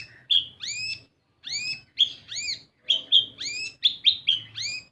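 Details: Sunbird (kolibri ninja) lure song used to get young birds singing. Sharp high chirps and rising whistled notes come in short phrases about once a second, with a faint low hum behind them.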